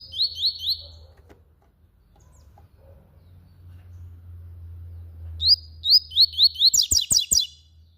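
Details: Yellow-bellied seedeater singing loudly: a short series of four high, rising slurred notes, a pause, then the phrase again, running into a fast buzzy trill with sharp clicks at the end; low hum underneath.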